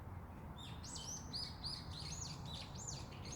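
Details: In the quiet early morning by a cabin, a songbird gives a rapid run of high, thin whistled notes with quick rising and falling sweeps, over a steady low rumble of background noise.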